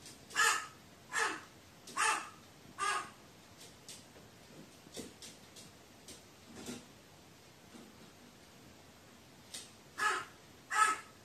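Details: Crow murmuring to itself, said to be frightened, recorded 15 May 2018: four hoarse caws in quick succession, a stretch of quiet soft mutterings, then two more harsh caws close together.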